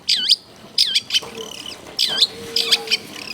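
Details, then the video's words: Long-tailed shrike in clear, lively song used as a lure for other shrikes: loud looping, swooping whistled notes in short phrases about every second, with softer scratchy notes between. "CENDET GACOR FULL ISIAN MEWAH SUARA JERNIH MUDAH DITIRU CENDET APAPUN"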